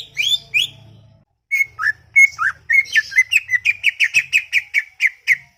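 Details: A chattering greater green leafbird opens with two rising slurs, pauses, then delivers an accelerating string of short bright notes at about three per second, steady and insistent.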